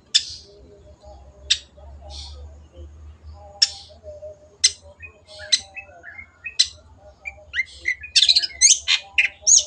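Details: Widely spaced sharp, high shrieks from a long-tailed shrike in 'gacor' singing form build into a fast, chattering jumble of varied squeaky notes.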